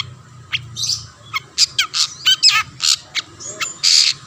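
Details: Long-tailed shrike provoking other shrikes to sing: spaced harsh squawks and buzzy notes with short wavering trills, ending in a longer rasping burst.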